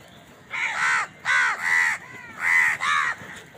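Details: House crow feeding, calling amid a fight for food: loud rasping caws in two pairs, each call about half a second long with a downward-bending harmonic tone, fairly evenly spaced.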